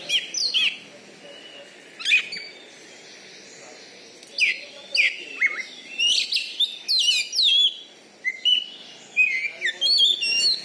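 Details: Oriental magpie-robin (kacer), a caged contest champion in Bengkulu praised for loud volume. Scattered sharp whistled notes early, then a dense burst of sweeping, chattering phrases and bright rising whistles.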